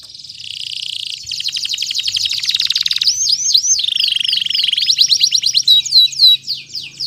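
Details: Canary lure song for stimulating silent canaries and tutoring young birds aged two to four months: loud, fast buzzy trills, then looping rising-falling whistled notes and bright chirps, with a faint low hum beneath.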